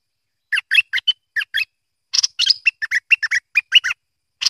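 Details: Merbah lekir (or kuning) bulbul delivering a lively run of short, warbled chirps, a few quick notes, a pause, then a denser chattering phrase of varied slurred syllables.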